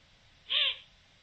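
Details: Eurasian eagle-owl recorded 7 October 2020: one short arched call, rising then falling, with stacked harmonics and a bright upper band, lasting about a third of a second against quiet background hiss.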